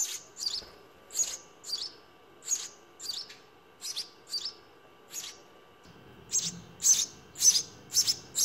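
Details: Baby house sparrows begging in the nest while being fed, a long run of sharp, high chirps repeated about twice a second, growing louder and denser toward the end.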